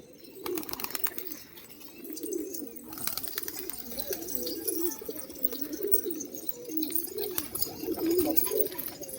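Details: Pigeons in Maharashtra, India; continuous low, rolling coos repeated through the recording, with scattered clicks, rustling and a brief faint voice in the background.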